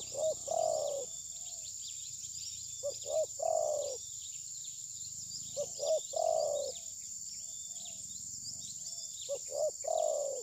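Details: Spotted dove serving as a decoy in dove trapping, not attacking the rival bird, perhaps molting, recorded with a phone: three clear coo phrases roughly every three seconds, short paired notes leading into a drawn-out rounded coo, faint chirps and insects behind.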